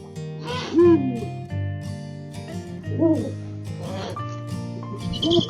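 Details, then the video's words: Female Eurasian eagle-owl guarding her nest of six-week-old chicks from an October breeding, giving short, nasal, whining 'eng' calls about every two seconds, exchanged with her mate as a love signal, over background music. "수리부엉이 암컷의 소리가 날카로운 이유?"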